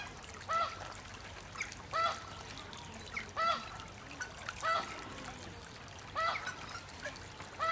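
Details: White-headed duck at a wetland reserve at Slimbridge, giving short nasal calls roughly every one and a half seconds, each a brief burst with a clear tone in the middle, amid a steady background murmur.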